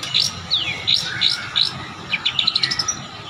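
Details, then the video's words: Long-tailed shrike singing with mimicry of another bird worked into its song: sharp, slurred high whistles and downward swoops, followed by a quick run of rising chirps. "cendet gacor isian kecekan burung kapas tembak"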